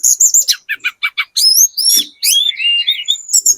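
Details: Very vocal speckled Sunda robin singing to draw answers from other birds: high wavering notes, a row of evenly spaced short chirps, rising sweeping whistles and a long warbled trill, with a faint low knock.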